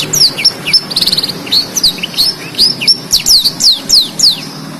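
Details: Continuous song of a black-throated canary meant to teach canaries, blackthroats and yellow-fronted canaries: sharp downslurred chirps, a quick stuttering trill near the start, then evenly spaced high swooping notes.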